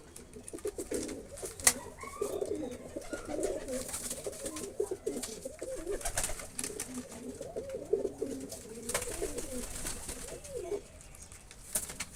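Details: Several reared pigeons coo almost continuously in soft, throaty, wavering phrases, layered over one another, with frequent sharp taps, wing flutters and scratching noises cutting through.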